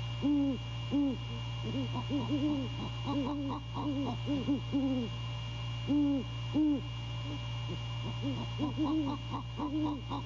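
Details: Great horned owl courtship at a nest after 2:27 AM in mid-January, the male calling to his mate: long sequences of deep hoots, often in quick pairs and triplets, a brief pause mid-clip, steady hum behind.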